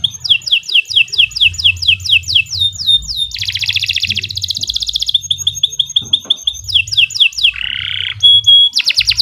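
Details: Long, lively canary song used as masteran: a run of repeated falling whistles, a dense buzzy rattle, rapid trilled notes, then a low buzzy phrase and a pure whistle.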